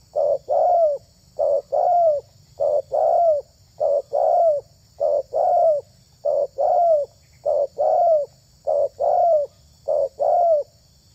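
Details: Steady spotted dove cooing used to lure other doves: eleven evenly spaced pairs of low notes, a short coo then a longer falling coo, repeated about every second.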